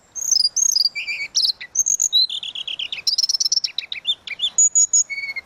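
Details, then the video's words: Energetic flute-like tledekan laut song for tutoring other birds: continuous rapid medley of high whistled slurs, trills and sharp chips, varied phrases tumbling without pause, ending with a steady whistled note. "Burung tledekan laut suling gacor"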